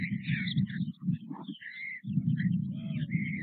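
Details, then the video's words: Feeding time for white stork chicks at a nest at Nové Mlýny, 6 May 2024, with parents delivering food often. A dense, continuous low rumbling chatter is topped by hoarse, drawn-out high squeals, with a short lull midway. "Krmeníčko, krmení, jak nám ta čápátka krásně baští, rodiče podávají dobroty snad každou půlhodinu"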